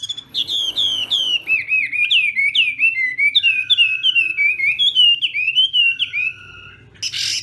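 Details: Morning practice song of a Chinese hwamei, a continuous run of loud, clear whistled notes, each sliding downward, repeated in a rolling sequence for about seven seconds before a brief noisy burst.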